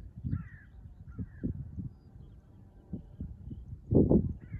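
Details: Taiga bean goose on 10 March 2024: low, rough honks sound sporadically over a steady low rumble, ending in a louder, harsh cackling call near the end.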